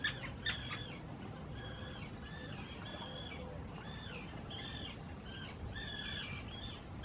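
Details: Common terns in vocal spring 2018 courtship, claiming preferred nesting sites on islands built for nesting at Hula Nature Reserve, Israel: harsh, nasal, harmonic squawks repeated in quick irregular bursts, with a steady low background rumble.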